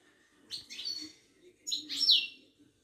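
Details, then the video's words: Ouidani goldfinch from Morocco at a Casablanca bird market. Two short, bright phrases of buzzy, tinkling notes, the second ending in a clear downward whistle, over a soft low hum. "طائر المقنين الزين او الحسون الويداني"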